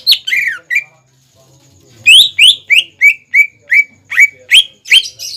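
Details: Greater green leafbird singing as a lure for young birds to imitate: a few swooping notes, a brief gap, then a steady series of loud rising-falling whistles about three per second.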